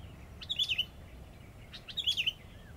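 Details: Sooty-headed bulbul kept as a decoy, giving two brief bubbly whistled phrases about a second and a half apart, each a quick warbling twist, with faint low rumble behind.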